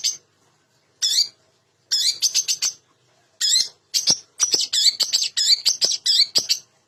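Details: Long-tailed shrike (cendet) singing a varied lure song meant to stir quiet captive shrikes into song: harsh, scratchy bursts at first spaced by pauses, then a fast run of sharp clicking notes and chatter.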